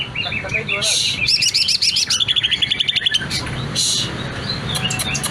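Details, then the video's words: Greater green leafbird song, used as a lure to set other leafbirds singing: bursts of hissy notes between quick trilled series of high chirps, with constant low background noise. "cucak ijo Gacor bongkar isian durasi panjang cocok untuk memancing burung cucak ijo ikut bunyi"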